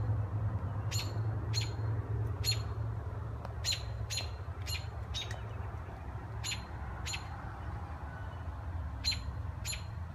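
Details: Baby birds in pine trees in Minnesota chirping: short, sharp, high chirps repeated irregularly, roughly every half second to second, over a steady low rumble of background noise.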